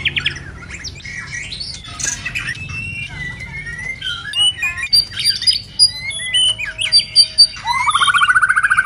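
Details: Moulting white-rumped shama in a varied passage of scattered whistles, short slurred notes and squeaky chips at shifting pitches, ending with the start of a rapid pulsed trill.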